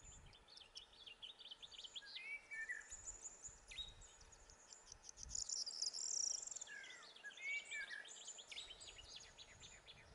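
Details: Corn bunting in the midlands of Gran Canaria in May 2020. Scattered thin chirps build to a dense, jangling burst of scratchy high notes midway, over steady insect hiss and other small birds chirping nearby.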